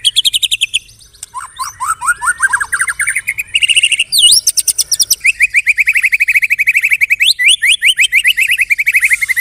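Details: White-rumped shama singing a song filled with canary and cililin imitations, loud and intense enough to prompt other shamas to respond; rapid rising note series, sweeping whistles and dense high trills run continuously without pause.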